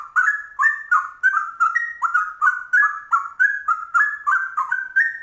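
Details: Ropel-style trucuk song of a straw-headed bulbul: loud, bubbling whistled phrases that jump between lower and higher notes, repeated in a steady rapid stream with no pauses and a clean background.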